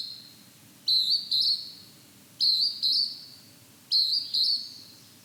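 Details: A loud, close Hodgson's hawk-cuckoo in fog repeats a ringing two-note whistle, with both notes high and steady, three times in quick succession about one and a half seconds apart.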